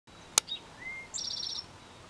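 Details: Male Eastern towhee singing his mating song, rendered as "drink-your-tea", in a backyard on the first day he was heard singing, having stayed since April 22nd: a short high note, a lower clear whistle, then a fast buzzy trill, after one sharp click.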